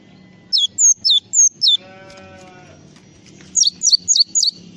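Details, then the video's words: Java sparrow in full isian song: five quick, high downslurred whistles, a pause filled by a soft harmonic nasal tone, then four more sharp falling notes. "SUARA BURUNG GLATIK FULL ISIAN"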